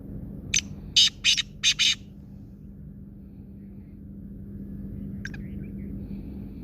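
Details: Black francolin (kala teetar) giving a harsh, grating phrase of five rasping, broadband notes in quick succession, paired then triple, followed by a faint short note later; steady low hum underneath.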